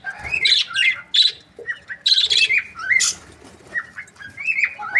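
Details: Mixed chirps and warbled squawks from budgerigar breeding pairs, with short bending tonal notes and sharp bright calls scattered irregularly over quieter background chatter.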